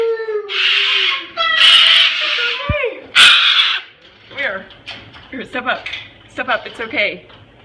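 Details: Three cockatoos, including a Moluccan and a Goffin's, scream together in loud, harsh, raspy bursts after one cockatoo at a window gave an alarm call, with a pet retriever dog joining in the noise.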